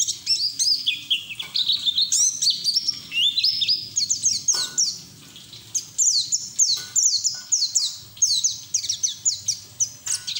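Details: White-eye pouring out ngeriwik song with open beak, ngalas style, as training audio for untrained white-eyes; long unbroken stream of rapid, down-slurred high chirps in bursts, with short pauses.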